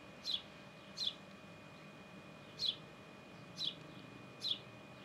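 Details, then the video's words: Sparrow in the nest: short, high, sharp chirps spaced irregularly, about one every second, over a steady low hum. "Gorrión en el nido"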